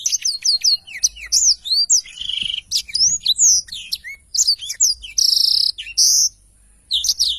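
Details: Black-throated canary singing energetically, a continuous run of high whistled, swooping notes and sweet sustained tones, with short pauses between phrases.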